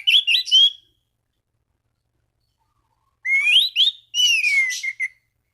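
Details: Orange-banded thrush singing to provoke other thrushes: a short warbled phrase, a pause, then rising and falling whistled notes mixed with scratchy twitters.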